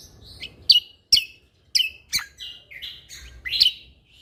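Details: Lesser green leafbird (cucak kombo), singing actively as tutor material: strong downslurred whistled notes with sharp onsets, repeated roughly every half second, clean and loud throughout.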